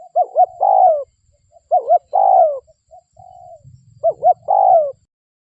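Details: Local spotted dove coo used as a lure for wild doves in Indonesia. Three phrases of clipped paired notes and then a drawn-out descending coo. A faint low rumble sits under the gap before the last phrase.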